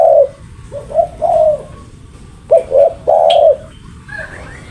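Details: Spotted dove calling in repeated low coo phrases, two short notes leading into a long rolling coo, against background hiss with a brief higher chirp near the end.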